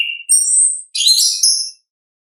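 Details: Brief orange-headed thrush phrase in ngeplong style: a low note, then a clear high whistle and a dense buzzy burst, followed by silence.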